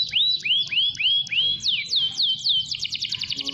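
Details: Domestic canary singing vigorously, a long-duration song used to stimulate other canaries to sing: a series of rising, whistled swoops repeated about every quarter second, then descending slurred notes and a fast, dense trill at the end.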